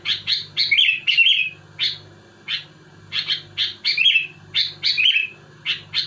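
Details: Sooty-headed bulbul singing hard against rivals: paired and single chirps spaced irregularly, with three or four slurred, gurgling warbled phrases mixed in; constant low electrical hum in the background.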